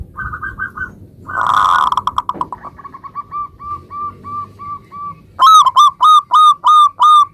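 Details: Lively local zebra dove song meant to prompt other zebra doves to reply straight away: a short trill, then long runs of evenly spaced, clear cooing notes that grow louder toward the end, over low rumbling background noise.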